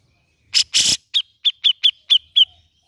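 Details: Grey-cheeked bulbul used as a lure to make a reluctant bird sing. Two loud, scratchy rasps lead into six crisp chirps spaced roughly a quarter second apart.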